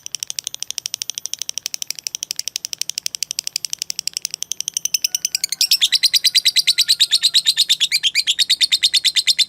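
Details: Long ngekek from a lovebird, played as training material for cage birds. Fainter rapid ticking notes give way halfway through to a loud, fast chattering trill that runs on evenly to the end.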